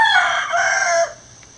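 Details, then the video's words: Gold Sebright bantam rooster, three years old, in a backyard flock, gives a loud sustained crow of about one second, strained and harsh, cutting off abruptly into quiet background hum. "Gold Sebright Bantam Rooster Chicken Crowing"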